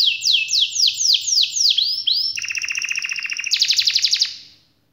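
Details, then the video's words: Canary singing a long rolling song used to stimulate quiet birds: a run of swooping descending whistles, then a dense low buzzy trill, switching abruptly to a higher fast trill before fading out. "suara kenari gacor ngerol panjang"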